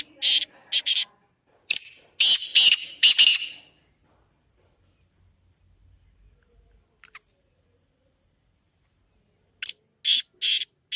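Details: Black francolin call played to make a kept bird start calling: short grating, rasping notes in clusters of two to four, with a long gap between clusters and a steady high insect-like whine in between.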